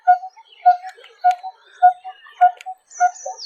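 Coppersmith Barbet giving a low, hollow 'tuk' repeated steadily about every half second, like hammering on metal; faint chirps of other birds and a brief high whistle behind.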